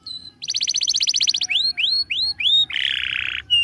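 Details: Canary singing a master song meant for tutoring other birds: a fast rattling trill, four rising slurred whistles, then a harsh buzzy roll and a closing whistle.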